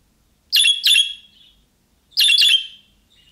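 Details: Budgerigar calls in the manner of young birds calling to others, a sound budgies answer quickly. Two pairs of loud, buzzy chirps are separated by about a second and a half of silence, followed by a soft trailing twitter.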